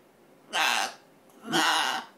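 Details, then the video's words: Pet blue-and-gold macaw gives two harsh, raspy, speech-like bursts a second apart, a gravelly attempt at "I love you" in a quiet room; it never says the final "you". "Blue and Gold Macaw saying "I love you""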